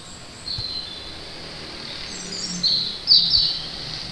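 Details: An unidentified bird singing across from a house; a few short high whistled notes, the loudest near the end, over steady low background noise.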